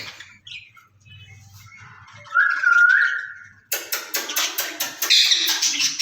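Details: Caged ring-necked parakeets, a pair said to be talking together in Urdu or Hindi: a soft low murmur, then a bright sustained whistled tone, followed by a fast string of rough, clicking, pulsed chatter.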